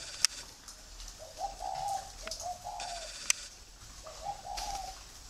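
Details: Spotted doves bred free-range on a farm near Hanoi, Vietnam, giving several mellow, hollow coo phrases in quick succession, with sharp clicks and faint hiss behind.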